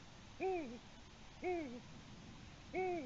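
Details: Eurasian eagle-owl at a nest cam on 21 March 2020 at 6:16 p.m., bringing a small gray mammal, possibly a shrew, to the nest; three hoarse arched hoots, rising then sagging, roughly every 1.2 seconds over a faint background hiss.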